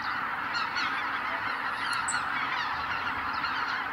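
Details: Greater white-fronted geese leaving their night roost at dawn on Kabukuri-numa marsh, Miyagi, Japan, recorded with a ZV-E10 camera and ECM-B10 microphone. A steady roar of countless overlapping honking calls, with occasional sharper high yelps standing out.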